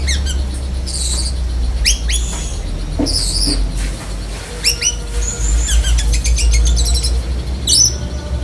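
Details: Black-breasted Oriental magpie-robin in lovebird mimicry: varied shrill squeals, rising slurs and sharp high chips at irregular intervals, ending with rapid chatter, over a strong low rumbling hum.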